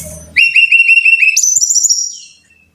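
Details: Brown-chested jungle flycatcher song played as a training recording for caged birds: a fast run of about eight identical clear whistled notes, then a jump to a higher, equally even run that fades out. A low hum precedes it.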